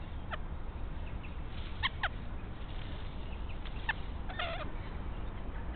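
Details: A pair of rainbow lorikeets raiding a pied currawong's nest, which holds no eggs or chicks yet, give short, harsh, grating screeches in scattered bursts of one to three notes over a steady low rumble of wind or background noise.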